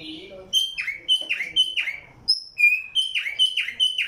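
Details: Tumba yegua in song at Barranquilla, Atlántico, Colombia, giving a series of clear high whistles that each slur steeply downward, repeated about every half second, broken by one short higher note.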